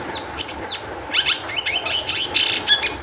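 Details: A long-tailed shrike sings to lure other shrikes into song, with falling whistles at the start, then a dense burst of harsh, buzzy and scratchy notes packed closely together.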